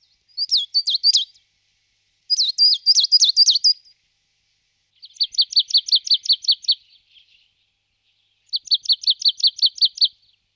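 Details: Marsh tit singing four bursts of rapid, evenly repeated high notes: two wavering twittered phrases followed by two dry, rattling trills of about ten identical chips each, separated by pauses of one to two seconds in a quiet setting.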